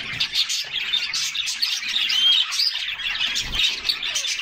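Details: A group of canaries bathing on a summer day fills the air with continuous bright chirps and twittering trills, a few clear upward-sweeping whistles standing out over splashing water.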